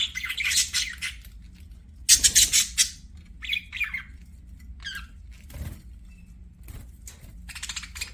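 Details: Budgerigars singing as they play: bursts of harsh, raspy chatter alternating with quicker twittered warbles, loudest in a dense flurry near the middle, then trailing into scattered chirps.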